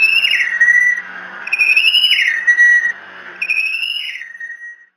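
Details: A Tufted Titmouse visiting a nest at Decorah at 07:53 on 3 November 2016 gives three clear whistled phrases, each rising then dropping, about one per second and a half, over a faint low hum.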